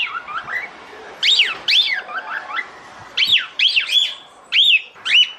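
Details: A female cockatiel calling the male for mating: soft, faint chirps at first, then a series of loud arched whistled squawks, some paired, over a low background hiss.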